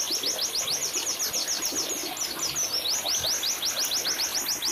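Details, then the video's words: White-eye song kept for therapy and master training of caged birds: rapid high thin notes, each a quick downward slur, repeated about three to four times a second in a steady run over a faint background hiss. "burung pleci"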